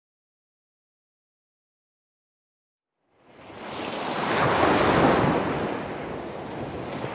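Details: Three seconds of silence, then ocean surf swells in as a broad rushing roar mixed with wind.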